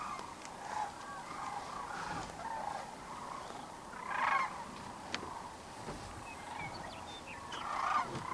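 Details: Sandhill cranes arriving at their Platte River roost near Kearney, Nebraska, one March evening: a steady wash of distant rattling calls, with nearer bursts swelling now and then.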